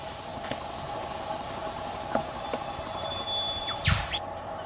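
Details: Australian whipbird calling in bush undergrowth, with both male and female birds present; a long thin whistled note ends in a loud downward whip-crack sweep near the end, over steady background insect hum and other faint bird notes.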